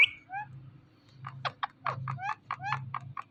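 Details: Talking ringneck parrot, a pet bird, producing a series of short clipped syllables and squawky notes like imitated words, over a steady low hum in the background.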